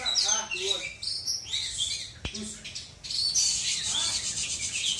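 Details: Oriental magpie-robin from South Aceh, Indonesia, giving bright high whistles and buzzy phrases. A sharp click sounds midway, and a harsher, noisy stretch of song closes the passage.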